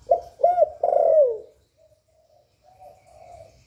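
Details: Spotted dove cooing to stimulate other doves: one clear phrase of a short note, a rising-falling arched coo and a long coo that slides down, followed by faint low murmuring coos.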